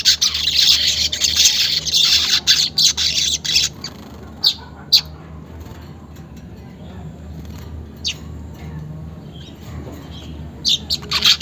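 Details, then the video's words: Weaver song played as a lure to make caged weavers sing quickly, recorded unedited: about four seconds of dense, high, buzzy sizzling chatter, then scattered short sharp chirps over a quiet background hum. "pancingan manyar bahan agar cepat gacor"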